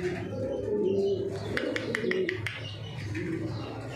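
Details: Several Racing Homer pigeons cooing at a pigeon farm in Thoothukudi, Tamil Nadu, India; low throaty coos overlap, broken by a run of sharp clicks and faint chirps midway, over constant low hum.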